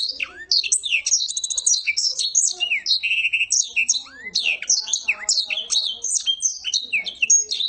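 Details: A kept Black-throated Canary sings a short 'garuda' and rolling passage: a fast, unbroken stream of high twittering notes, sweet whistles and rolling trills, with hardly a pause.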